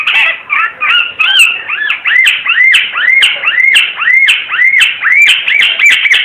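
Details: Timor red-eyed bird sings a lively sequence of arched whistled notes, each rising then falling, repeated roughly twice a second with sharp clicks between.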